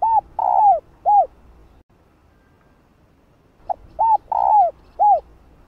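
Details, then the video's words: Female spotted dove calling to stimulate males: the close of one phrase with a long falling coo and an arched coo, a pause of about two seconds, then a complete repeated phrase of hollow arched notes. "Tiếng cu gáy Mái ,cu mái kích trống nghe là gáy 100%"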